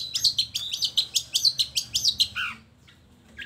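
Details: Long-tailed shrike song used as a lure to coax lazy shrikes into singing: a rapid run of about twelve sharp, high chirping notes, roughly five per second, closing with a lower harsh descending note before quiet.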